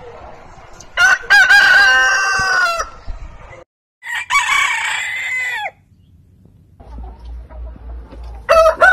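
A rooster gives two long, harsh crows, each lasting about two seconds and falling away at the end, then a third crow begins as the clip closes.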